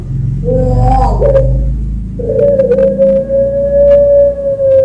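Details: Champion puter pelung Barbary dove from a bird farm in Sragen, Central Java, Indonesia, singing as a master and bait recording to stimulate other doves to sing: a short rising coo, then a very long steady hollow tone over a low rumbling background.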